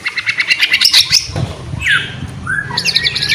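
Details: White-rumped shama in full song, used to prompt other shamas to sing: a burst of harsh, rapid chattering notes followed by slurred downward whistles and a scratchy jumbled phrase.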